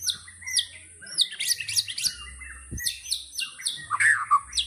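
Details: 'Tembakan' song of a white-rumped shama: a busy stream of high, downslurred whistles and chips, several per second, with a few lower liquid notes near the end.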